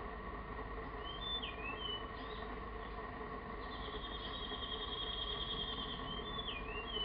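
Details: A male mangrove blue flycatcher, a rare resident on an offshore island, sings from its favourite perch one afternoon: thin, high whistled phrases with quick up-and-down slurs and one longer trill, over a steady droning hum.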